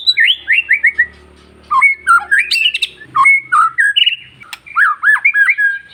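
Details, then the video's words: White-rumped shama, long-tailed type, song meant to provoke other shamas: a quick series of descending whistles, then mixed sweet slurred notes, chattering trills and loud clear whistles in rapid succession. "MENINGKATKAN EMOSI BURUNG MURAI Dengan Suara murai batu ekor panjang"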